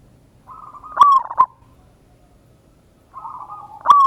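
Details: Local Indonesian zebra dove singing a lure song in the ngayer kerot nutut style, recorded 16/11/25: a soft rolling buzzy trill swells into loud, accented cooing notes, then the phrase begins again near the end.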